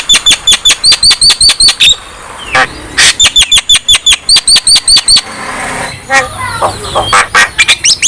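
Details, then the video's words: Fast, regular series of sharp bright chirps from a Javan myna, delivered twice with a harsh burst between, then softer varied notes; recorded to stimulate quiet mynas to sing. "KICAUAN JALAK KEBO GACOR | Terapi Ampuh Untuk Jalak Kebo Yang Malas Bunyi"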